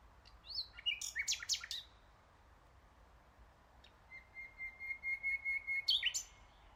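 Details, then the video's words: Nightingale singing a loud jumbled phrase of sharp notes, then after a pause a long, even, slightly pulsing whistled tone building in intensity, ending in a brief bright flourish. "NIGHTINGALE sounds. So PEACEFUL"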